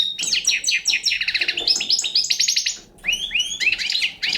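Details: A young Balkan-type European goldfinch sings rapid, liquid twittering phrases of repeated high chirps and buzzy trills, breaking off for a moment near the three-second mark before resuming with upward-sliding notes.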